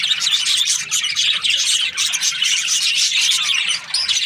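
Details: Chirping budgerigars: continuous, high, scratchy chatter with interwoven quick whistles from many birds at once.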